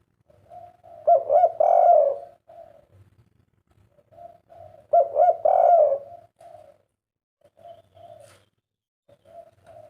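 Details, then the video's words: Kept spotted dove calling quietly and somewhat hoarsely. A soft lead-in leads to a louder, rough drawn-out coo, repeated about every four seconds with faint murmuring notes between. "BURUNG INI TEKUKUR/DERKUKU KUK 3"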